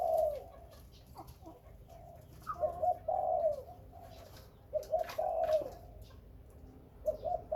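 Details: Spotted dove of the Khmer and Malay type, kept as a breeding bird, giving soft hollow cooing phrases of two or three notes, each swelling and falling, repeated with short pauses; faint chirps and a quiet room-like background.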